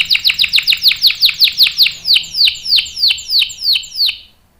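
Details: Canary in long rolling 'ngerol' song, used as a singing lure and tutor for young birds: a run of about twenty downward-swept chips, fast at first, then slowing and fading out.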